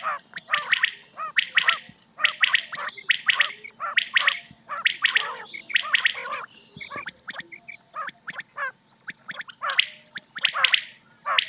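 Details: Rain quail giving harsh, metallic bursts of clustered notes, about once a second, over a faint steady background hiss and hum; a night cassette recording used for quail hunting.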